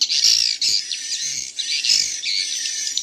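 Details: Swiftlet chicks calling in a playback recording that may also carry adult swiftlet sounds: continuous high, squeaky chirps, close together and alternating loud and soft, with small pulses of emphasis throughout.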